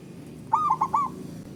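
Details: Male zebra dove calling, a bird that calls little, played to boost mating drive: one short coo phrase of a rising note followed by three quick wavering coos, low and mellow, over a low background hum.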